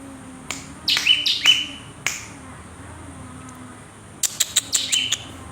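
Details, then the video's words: Cinereous tit in lively full song: two bursts of sharp clicking notes, each ending in short high whistles that slur downward, separated by a quieter pause with a low steady hum underneath. "GELATIK BATU GACOR MEWAH ISIAN"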